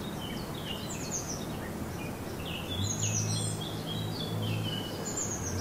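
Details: German garden in morning sun with birds singing: rapid, twittering high notes in short bursts, some sweeping down, over a low steady hum and background hiss.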